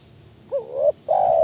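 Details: Lure call of a spotted dove, a brief dipping coo sliding upward into a held note, then a second sustained level coo, low-pitched and mellow against quiet hiss.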